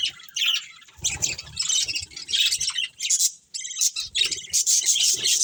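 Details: Colony of budgerigars, including a breeding pair, producing irregular high twittering bursts and squeaky chirps in clustered phrases. Faint low rustles and knocking sit beneath the chatter.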